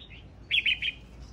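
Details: A brief, bright phrase of three quick warbled notes from a singing male red-whiskered bulbul, clear against low background noise.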